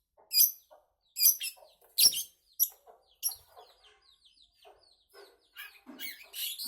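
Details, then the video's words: Long-tailed shrike singing in a lively, chattering run: harsh scratchy notes and short clucking phrases, bursts of high buzzy sound at irregular intervals, with quieter twittering between the louder outbursts. "Burung Cendet gacor sak pole"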